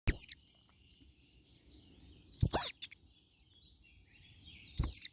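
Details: European crested tits: three short, very high bursts of trilled, descending notes, each under half a second, separated by quiet gaps with faint chatter between.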